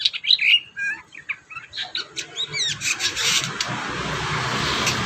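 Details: Kurincang singing a busy, varied 'gacor isian' song meant for tutoring young birds: quick chattering whistles and slurred notes, then rasping scratchy phrases fading into hiss.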